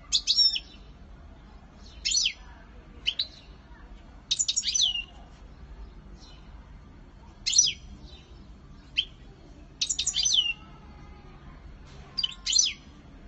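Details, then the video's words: Courtship display song of a European goldfinch: crisp, high twittering phrases with sharp descending slurs, repeated roughly every one to two seconds in eight short bursts against a quiet, low background. "Une parade nuptiale le Chardonneret"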